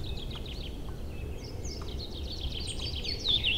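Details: Newly arrived birds singing in early spring, April, in woodland and meadows by a river: a quiet run of rapid high chirps ending in a louder whistled flourish, with low rushing noise throughout.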